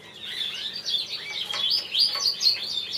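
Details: Champion Border canary cock, variegated and buff, delivers a continuous high warble. Chirps and rapid twittered notes run almost without pause, with some rising whistled slurs, at about four notes per second.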